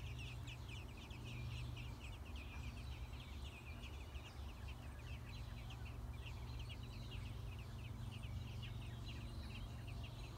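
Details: American robin chicks aged six days, fed by parents in the nest, keep up steady bursts of high, squeaky peeps throughout, accompanied by a loud low-pitched hum.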